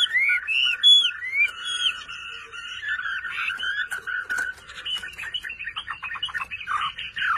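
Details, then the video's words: Chinese hwamei, a hobbyist's kept songbird, opening with clear rising whistles that are repeated several times, then a busier, blurred run of chattering notes and short slurs. "HỌA MI CỦA AI MÀ HÓT QUÁ ĐỈNH ANH EM ƠI"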